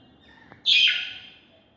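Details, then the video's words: Macaw in a cage, clambering on a net, lets out a single sudden harsh screech that starts abruptly and fades over half a second; faint room noise otherwise. "Noise of Birds|Macaw Climbing on Net"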